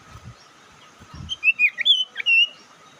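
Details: Bird lure call that stirs rival birds: soft low thumps at first, then a burst of five or six high, thin chirps and twitters over about a second, ending in a longer bright note over a constant background hum.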